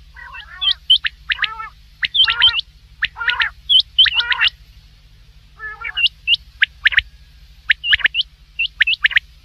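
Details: Common quail calling at night, with short sharp upward notes in quick groups of two or three, mixed with lower nasal harmonic calls; several bursts spread across the recording.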